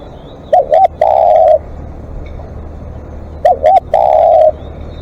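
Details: Spotted dove used as a live decoy, calling long: twice it gives two short looping coos and then a prolonged, flat, mellow coo, with phrases about three seconds apart and a low hum beneath.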